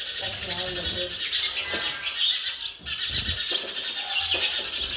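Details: Baby sparrows being fed by a parent call in a dense, continuous wash of shrill, buzzy chirps with a brief pause midway. Faint low sounds run underneath.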